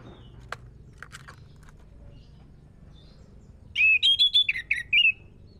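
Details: Orange-headed thrush song used as a lure to make other birds sing. A quiet start with a few faint clicks gives way to a short burst of rich, warbling whistled phrases, varied and quickly changing in pitch, lasting about one and a half seconds.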